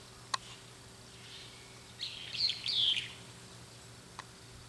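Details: A brown-eared bulbul perched on an antenna gives a brief burst of squeaky, warbling phrases, as if talking to companions. It flew toward their calls when it heard them. Two sharp clicks, faint hum.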